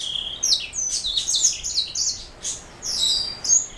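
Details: Black-throat mule, a canary hybrid, producing high, rapid twittering song phrases with buzzy slurs and short whistles, separated by brief pauses.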